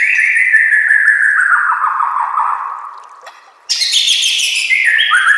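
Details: White-rumped shama singing a training master track with nature sounds and water: a long, loud whistle sliding slowly downward, a short pause, then a bright, higher burst of rich, fluty notes.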